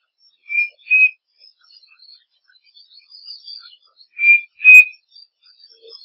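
Striped cuckoo giving two clear whistled two-note phrases, the second note slightly higher, about four seconds apart. Faint high chirps from other birds sound in the background.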